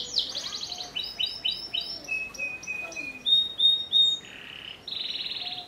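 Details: Belgian canary singing at length: rapid trills of repeated high chirps, then steady whistled notes held on one pitch, ending in buzzy rattling rolls, all very high and clear.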